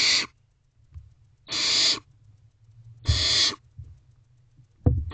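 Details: Owlets of barn owl in a nest box, 9:12 pm on 21 May 2023, during feeding on a rodent; three breathy screeching hisses spaced about 1.5 seconds apart over faint scuffling.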